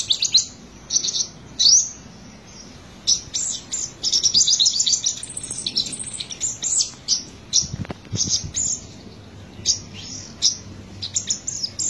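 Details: Olive-backed sunbird of subspecies Cinnyris jugularis buruensis, from Buru, South Maluku, sings in very high, thin bursts of rapid twittering and sharp chips, repeating every second or so, with one soft low thump midway.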